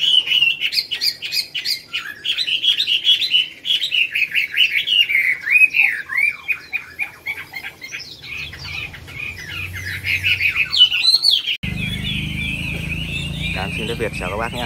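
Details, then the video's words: A competing Chinese hwamei, bird no. 37 in the top-20 final of a Mỹ Đình singing contest on 19 July 2020, pours out a rich, rapid run of loud, varied whistles and trills. A low murmur of people joins near the end. "HỌA MI HÓT"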